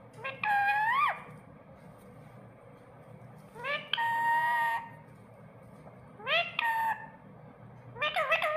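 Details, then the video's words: Pet parrot talking: four drawn-out, nasal, speech-like utterances, each rising then holding a steady tone, about two seconds apart, over a low background hum. "parrot talking"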